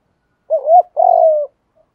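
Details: Spotted dove coo used to stir up decoy birds: one two-part phrase, a short undulating note followed by a longer steady coo that fades downward, with silence around it.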